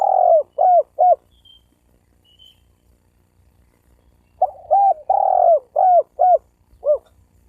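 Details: Spotted dove calls intended to incite wild birds of both sexes to fight: bursts of short, mellow coos, one longer falling note followed by quick clipped ones, in two groups separated by a pause, over a quiet low hum.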